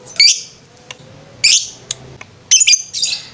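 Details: Lovebird on a training master recording: three harsh, scratchy bursts of high squawking chatter about a second apart, with faint clicks between them.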